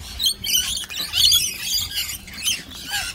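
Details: A one-eyed Cockatoo, facing off with and intimidating another troublesome cockatoo, gives harsh, raspy, high screeches in short bursts, several in about three seconds, with no other clear sounds.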